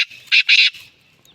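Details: A male Black francolin in the countryside of South Asia, in mountain habitat, gives its loud territorial call in the early morning: two harsh, grating notes in quick succession, then a fainter trailing note.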